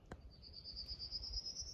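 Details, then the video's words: Northern Parula starts singing a high, buzzy trill that climbs slowly in pitch without a break, over a low background rumble and one sharp click. "Northern parula starts singing"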